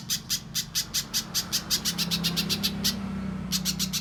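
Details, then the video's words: Mbeset song of a little spiderhunter, a clear master for training songbirds: rapid high chips, about two and a half per second, briefly stopping before resuming, over a low steady hum. "Top Masteran Burung Pijantung Pisang Mbeset Suara Jernih Yang Disukai Juri Lomba"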